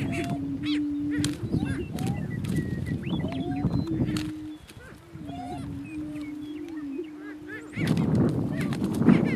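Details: Two rival male Greater Prairie Chickens on a lek in northeast Kansas: long low booming notes held for a few seconds each, with clipped whoops and cackles scattered above and a noisy scuffling burst near the end.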